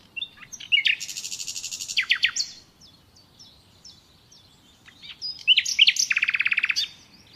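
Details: Natural nightingale song in two phrases, each with scattered sharp chirps, then a fast, even trill of rich pulsed notes, the second lower and about fifteen pulses long, ending on down-slurs.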